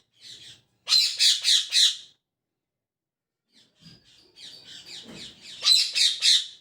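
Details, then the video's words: Parrot calling in the morning, rapid series of four rough squawky notes, then softer chattering that builds into another loud burst of three notes. "Parrot Chirping At Morning | Parrot Sound"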